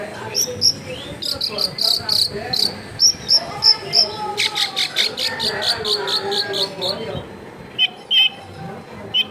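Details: Long-tailed shrike recorded at a home in a densely populated area. It gives sharp, high, chipping notes in short bursts, then a quick run of rapid clicks, with lower warbled phrases and some background noise.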